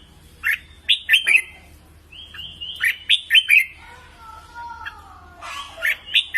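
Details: Red-whiskered bulbul song used for training birds to sing: quick whistled notes sliding up and down, then a lower drawn-out wavering tone, ending in more bright whistles.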